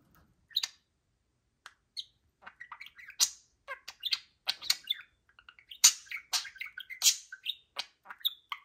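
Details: Lively pet budgerigars, two birds indoors in cages, on a Friday morning: soft warbling chatter that builds from sparse ticks into a dense stream of squeaky, chirping and rasping notes, fast and irregular.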